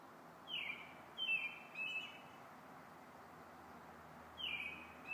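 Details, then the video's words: Robins singing in the evening; short, high, sweet phrases with quick falling trilled notes, each lasting under half a second and separated by pauses of a second or more, over a quiet steady hiss. "Robins evening song"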